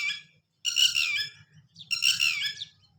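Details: Red-wattled lapwing defending its young, with both parents guarding the chicks until they can fly. Two strident, rasping bursts of rapid notes about a second apart, with a low background hum.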